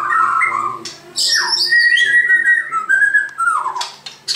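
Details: White-crowned shama whistling clear, drawn-out notes with high sweeping slurs and a falling phrase, separated by short pauses over a soft low hum.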